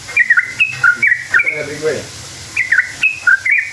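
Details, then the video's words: Sooty-headed bulbul lure song for drawing answers from other bulbuls: a few quick whistled notes stepping up and down, a short lower murmur, then more ringing notes. "Trucukan gacor ropel panjang buat PANCINGAN trucuk agar bunyi jadikan burung trucuk NYAUT EMOSI"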